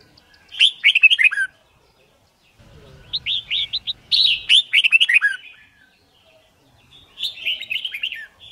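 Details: Red-whiskered bulbul song used for training birds to learn song quickly and for competition singing; three bright warbled phrases of rapid rising and falling notes, separated by short silences, with a faint low rumble in between.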